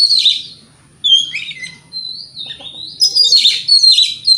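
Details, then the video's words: White-rumped shama morning song to provoke rivals: a harsh opening burst, then sliding whistles and a long drawn whistle rising into a loud, chattering final flourish. "Pancingan Kacer Gacor Pagi Hari Bikin Lawan AUTO NYAUT!!! Ikut Emosi"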